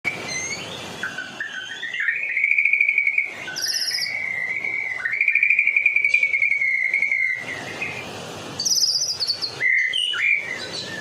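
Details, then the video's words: White-rumped shama of the Medan type singing vigorously, a song used to lure other shamas: a long, wavering trill held near one pitch, broken by bursts of very high buzzy notes and short downslurred whistles. "murai batu Medan. gacor door . cocok buat pancingan burung murai batu lain nya."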